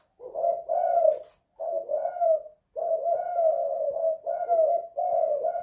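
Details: Indoor spotted dove, kept in a house, cooing almost continuously: long low hoarse phrases with short breaks, each coo slightly rising and falling, a faint tapping sound near the start.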